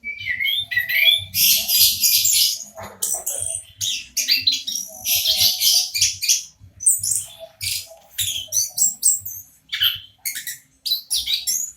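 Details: Orange-headed thrush of a local strain in long continuous song, used to get silent birds singing: rapid mixture of whistled slurs, scratchy notes and high chatters, barely pausing.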